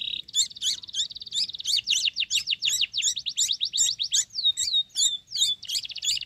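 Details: A sooty-headed bulbul chick, fed crickets and growing fast, begs with rapid, insistent high chirps, about three per second, some rising and falling in pitch, over a soft low rumble.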